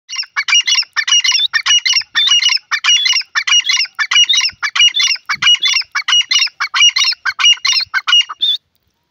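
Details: Grey francolin, known locally as gora teetar, calling loudly: a rapid series of harsh, ringing, multi-note phrases repeated about one and a half times per second for nine seconds, with a steady rhythm and no other sounds.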